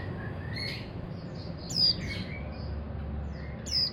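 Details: Untrained young mountain white-eye kept as a hobby bird, uttering thin, high, rapid twittering chirps in short bursts with a bright downward-slurred note, low background hum throughout.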